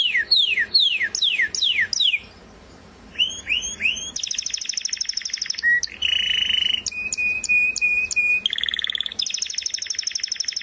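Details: A canary sings falling swept notes in quick series, then dense buzzy trills, sharp high chips, and a steady rapid trill, with brief pauses between the phrases.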